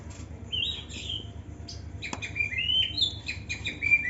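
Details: In an aviary, a young white-rumped shama sings thin, high whistled slides and quick repeated chips, one sharp click midway, over a steady low hum.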